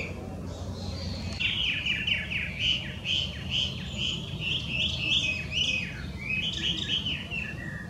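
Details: Loud whistled song of a wild Chinese hwamei, an alien bird from China classed as invasive in Japan. Rapid chains of short, bright, bouncing notes run almost continuously after a quiet first second, with low rumbling noise beneath.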